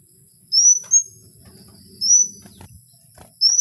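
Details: Kowul in the wild giving spaced, high, thin whistles, each a rising slur, roughly every one and a half seconds, with a faint low rumble between them.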